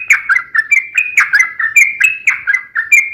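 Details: Sooty-headed bulbul in gacor long ropel song, used as a lure so other bulbuls sing back. Continuous quick whistled phrases of falling and rising notes, about three per second, clear and close.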